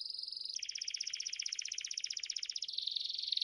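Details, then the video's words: A canary sings a fast, rolling trill of high, bright notes, shifting through three distinct tours in quick succession. "MELHORES CANTOS DOS CANÁRIOS"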